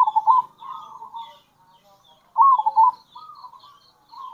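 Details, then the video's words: Two short, loud bursts of bubbling coo from a local zebra dove, each followed by softer trailing notes. The kerot and bekur calls are used to lure other zebra doves. "Panggilan Perkutut Lokal !! Perkutut Lokal Kerot Gacor Dan Bekur Ampuh Untuk Pancingan Perkutut"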